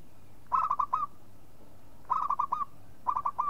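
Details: Three close-spaced phrases from a local zebra dove, about a second apart. Each is a bubbly string of four to five mellow coos finishing on a short upward flick.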